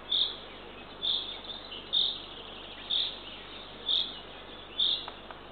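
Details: Eurasian eagle-owl owlet, the third chick, being fed by the female at a nest camera in Northern Estonia at 6:21 am on 3 June 2023. Short, high, hoarse hissing calls repeat roughly once per second over a steady background hiss.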